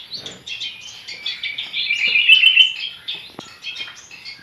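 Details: Young long-tailed shrike learning to sing: a dense, scratchy, high twittering warble of rapid chirps running without pause, swelling louder mid-phrase, with a sharp click near the end.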